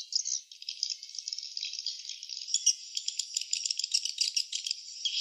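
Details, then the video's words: At a nest site, a flock of swiftlets keeps up a shrill, jangling twitter: a continuous high buzz broken by quick clicking pulses, busier toward the end. "suara sarang burung walet ( swiftlet sound )"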